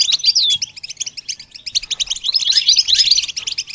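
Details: A continuous, dense goldfinch twitter of quick high chirps, swelling louder in the second half.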